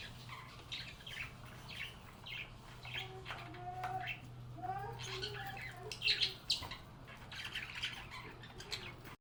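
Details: Happy budgies chatting with one another in a calm setting: a varied warble of short squawks, chirps and gliding whistles mixed with quieter sounds, over a steady low hum.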